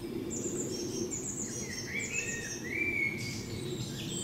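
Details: Thin, high chirps and a few short whistles from more than one small bird at Haigh Plantations, Wigan, on 28 April 2014, faint over a steady low outdoor rumble.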